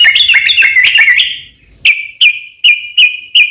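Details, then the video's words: Sooty-headed bulbul song meant to draw other bulbuls into singing: a dense, jumbled burst of warbled chirps, a short pause, then five loud, clear whistled notes evenly spaced about every half second. "KICAU SUARA trucukan gacor ropel panjang pancingan trucukan agar bunyi"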